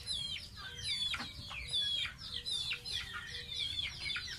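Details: Baby domestic goose taking a bath, repeating clear whistled peeps that drop sharply in pitch, about one per second, each with a faint high overtone.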